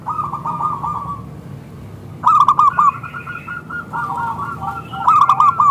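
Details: Local zebra dove singing as a lure for other zebra doves: a fast trill of cooing notes, a brief lull, then a louder sustained stretch of clipped, bubbling coos ending in a bright burst, over low hum.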